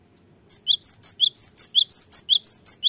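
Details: Lure recording of a cinereous tit in full song, meant to stir lazy birds to sing: quick bright whistled phrases repeated steadily, each rising then dropping into a sharp high note, over faint low hum.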